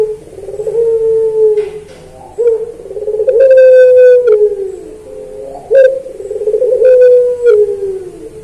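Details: Puter pelung dove singing for a training recording: a series of deep, drawn-out, slightly falling coos, joined by rolling notes and punctuated by sharp clicks.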